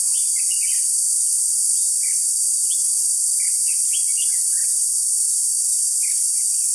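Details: Red-whiskered bulbul used as a decoy during a trapping session on 21 July 2016: short warbled, chirpy phrases repeated through the clip, over a loud, constant high insect drone.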